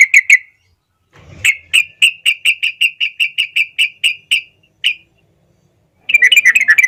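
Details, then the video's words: Sooty-headed bulbul master recording for teaching young birds: a brief burst of notes, a soft low rustle, then a steady series of about fourteen clear whistled notes ending in a quick warbled flourish. "masteran burung trucuk paling di cari pendongkrak burung muda"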